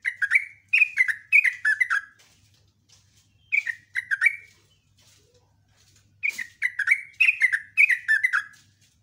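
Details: Sooty-headed bulbul in full morning song, three bursts of quick, slurred, downward-sweeping whistles separated by short silences, each burst of four to six notes; clean, quiet background.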